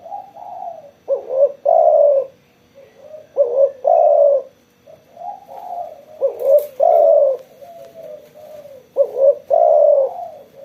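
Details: After sunbathing, a spotted dove (tekukur) coos energetically: repeated phrases of low, mellow hoots, each ending in a longer, stronger coo, recurring every two to three seconds, with a brief click near the middle.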